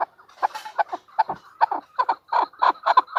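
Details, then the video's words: Calling female chukar partridge: loud, rasping chuck notes delivered in pairs and triplets, separated by short gaps, on a clean quiet background. "chukor|chowkor|chokor|female partridge is calling|female birds|مادی چکور کی آواز|مادی چکور کی بولی۔"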